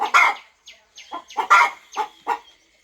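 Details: Mother hen on a farm settling over her nest, fluffing feathers to warm eggs before hatching; short harsh clucks in uneven bursts, some louder and rasping, with faint thin chirps between.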